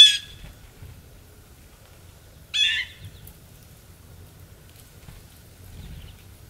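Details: Blue jays feeding in Maine, United States, in December 2023: two short, harsh, scratchy calls about two and a half seconds apart, with quiet low background rumble between.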